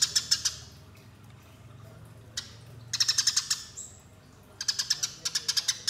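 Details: Fighting calls of a Eurasian tree sparrow, played as a lure: separated bursts of quick, sharp chirps with quiet gaps between them and a brief thin whistle.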